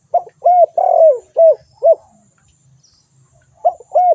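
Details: Spotted dove giving a phrase of five low hooting coos with a drawn-out falling middle note, then a pause and two more coos beginning the next phrase; faint low rumble underneath.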